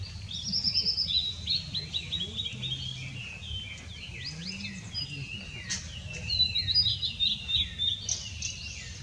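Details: Blue-and-white flycatcher, recorded 6 May 2016, giving high clear whistled notes in rapid runs of descending slurs and trills, phrases repeating across nine seconds, over a steady low rumble of background noise.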